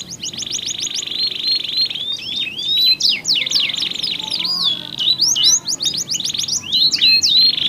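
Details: Two canaries singing back and forth in differing voices, used to stimulate other canaries to sing: bright, fast rolling trills and sweeping whistled slurs, tumbling and overlapping without pause.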